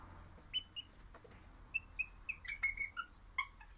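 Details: A happy pet crimson rosella (Platycercus elegans) sings a series of about a dozen clear, piping whistles, mostly steady and high, with a few sliding down to lower notes near the end.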